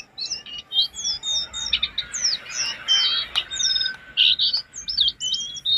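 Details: Master recording for training caged jongkangan (brown-throated sunbird): a continuous stream of high, sliding whistled notes and quick chirps, densely packed, over a faint background hiss.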